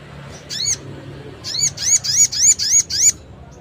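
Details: Long-tailed shrike in a 'nembak' style song, used to rouse singing and breeding drive in other shrikes that have stopped singing: a fast run of seven loud, ringing, arched notes, about four each second, after one opening note; faint low hum behind.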